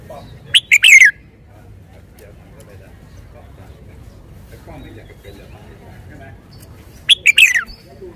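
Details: Red-whiskered bulbul in a cage sings two brief bright whistled phrases about six seconds apart, each ending in a falling note, with faint other bird sounds and background noise between.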